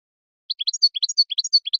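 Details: European goldfinch male singing to stimulate a female to mate: rapid twittering run of short, bright notes, alternating slurred chirps and higher tinkling elements, about a dozen in under one and a half seconds, no other sounds.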